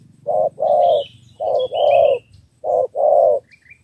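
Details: Three-note 'thổ 3 âm' cooing of a spotted dove from Ca Mau, Vietnam, used to win over wild doves. Three clear short-long coo pairs are given, with a faint high chirp from another bird.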